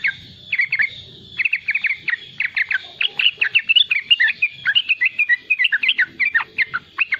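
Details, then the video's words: Young, constantly singing yellow-vented bulbul giving riwikan song for luring and tutoring young birds: short clusters of crisp chirps, a pause, then a long lively stream of tumbling, bouncy notes. "Riwikan trucukan muda gacor untuk pancingan bunyi trucukan bakalan dan anakan"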